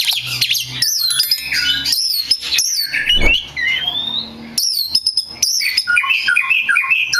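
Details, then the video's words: Oriental magpie-robin singing as a lure meant to set off other magpie-robins: loud mixed phrases of clear whistles, harsh chips and quick trills, a short gap mid-song, with a faint low hum and one knock in the background. "SUARA P4NCINGAN KACER BAHAN / GACOR DIJAMIN LANGSUNG NYAUTT!!"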